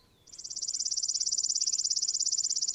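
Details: A Chipping Sparrow sings its only, lifelong song: a simple dry, even trill of rapid high chips, about twenty per second on one steady pitch, with nothing else audible.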